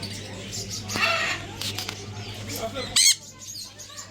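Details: A pair of pet Sun conures dancing and singing, giving harsh, grating squawks, with one loud screech near the end, over a low steady hum.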